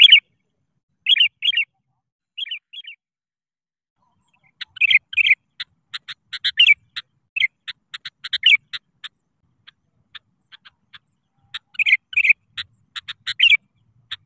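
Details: Sooty-headed bulbul in full song calling rivals, used to lure hard-to-start birds into singing; paired bubbly whistled phrases open the clip, then a dense run of short sharp clicking notes interspersed with further bubbly phrases.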